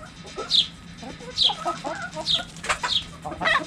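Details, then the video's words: Backyard hens clucking in short, uneven bursts, with sharp high chirps recurring roughly every second among murmured flock calls. "Chicken Sounds Noises Hens Clucking Roosters Crowing!"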